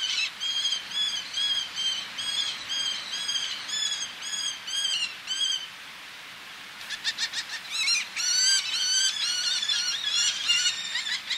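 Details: Male Eleonora's falcon calling close up while females call from ledges, sea audible: some six seconds of rhythmic, grating, ringing notes about two per second, then a dense, overlapping chorus of excited calls.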